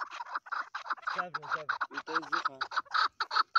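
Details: Mixed chukar partridge calling: steady rhythmic chuck notes overlaid with lower, bending nasal tones from other birds in the group.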